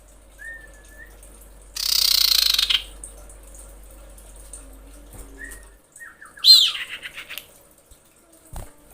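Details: Female common iora calling the male: a thin, level whistle held about a second, then a harsh, hissing burst and a fast series of short descending notes, with a second short whistle between.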